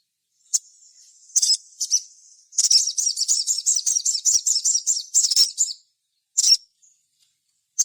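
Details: A sogon's high-pitched song, used to draw song from others of its kind: a few sharp chirps lead into a long fast trill of rapid notes, ending with isolated chips.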